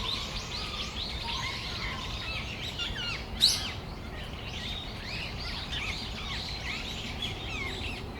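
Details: Afternoon flock of Brown-eared bulbuls in Tamagawadai Park in December, a tangle of shrill wavering whistles and squeaky slurs, with one sudden loud burst partway through and soft background noise.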